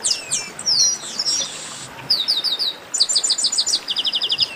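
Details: Chestnut-capped blackbird song: quick series of sharp descending whistled notes, then slurred sweeps, then bursts of rapid repeated chips near the end, in bright clear phrases.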